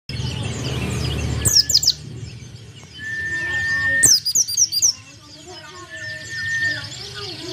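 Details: White-eye in lively song, said to spur rival birds into singing: two bursts of sharp, high, rapidly falling chirps, separated by long, steady mid-pitched whistled tones, with a low hum underneath.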